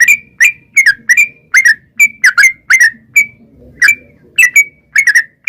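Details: Sooty-headed bulbul song used to entice wild birds into answering: whistled chirps with hooked, downslurred endings, single and in pairs, spaced irregularly with short breaks.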